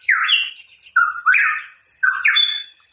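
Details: Energetic song of a hooded pitohui: three loud two-part phrases, each a rising whistle that breaks into a buzzy, raspy note, in a quiet background.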